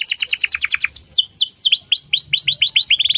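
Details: Canary used to train a young bird's singing: a fast trill of doubled notes that slows into sweeping downward slurs, then speeds up again into a rapid run of short notes.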